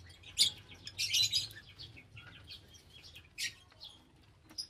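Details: Lovebird calls: a shrill squeak, then a longer grating screech, followed by scattered softer chirps and one more harsh burst near the end.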